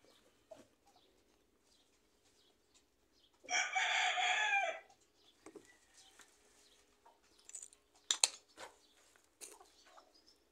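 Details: Rooster at a home yard with fruit trees, ambient sound; one harsh, strained crow of about one and a half seconds, then scattered faint clucks and small noises.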